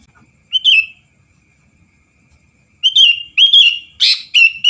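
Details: Sooty-headed bulbul in full voice, played to provoke rival birds into singing: a short whistled warble, a silent pause, then several bright, slightly wavering whistled phrases and one harsh rasping note.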